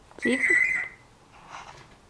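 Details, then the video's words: A Grey parrot just over a year old, recorded September 2010, speaks a short word-like phrase with a clear, steady whistled tone, then a softer murmured sound in a quiet room; its words include its name, "pretty bird", "good morning". "African Grey Parrot - Talking"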